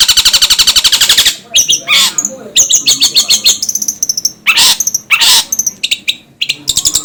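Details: Long-tailed shrike: opens with a fast, buzzy rattling trill, then switches to a jumble of scratchy notes, thin high whistles and loud harsh squawks.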